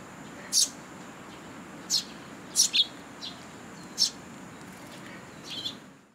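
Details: Young sparrows and chicks with their parents at a Tenmangu shrine on 2 July 2022, the young coming to be fed; short, sharp, high chirps in scattered bursts, about seven in six seconds, over a steady faint high whine.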